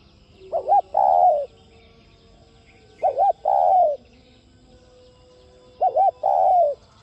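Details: Spotted dove giving its coo, intended to stimulate other doves to coo. Three evenly paced phrases about two and a half seconds apart, each a quick wavering double note leading into a longer coo that slurs downward. A soft steady hum underlies them.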